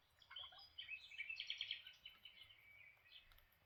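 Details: Lineolated parakeets at breakfast giving a quick run of bright chirps and twittering notes, rising into a dense warbled cluster mid-way, then fading to softer chatter, with low background rumble.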